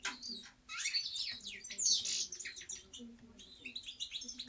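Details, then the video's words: Short burst of European goldfinch song, bright tinkling chirps and a loud twittered phrase near the middle, then quicker repeated notes; faint low hum behind. "Cantec de Sticleti Goldfinch song"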